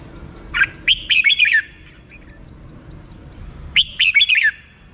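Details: Red-whiskered bulbul singing the same cheerful phrase twice: five or so rapid slurred whistles rising and falling, separated by a couple of quiet seconds with soft background noise.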